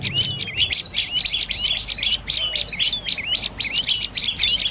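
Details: Dark-necked tailorbird calling in a quick, steady stream of shrill chirps, each note sharp and slightly trilled, continuous for almost five seconds; faint low noise underneath.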